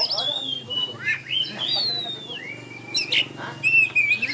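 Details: At a kacer singing contest in Tebas, a winning oriental magpie-robin gives long clear whistled notes, some falling and some rising, mixed with sharp chirps, while spectators chatter in the background.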